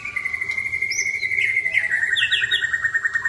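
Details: White-rumped shamas answering each other with rich borrowed phrases: a long steady whistle runs into a quick chattering trill, with a brief higher note above.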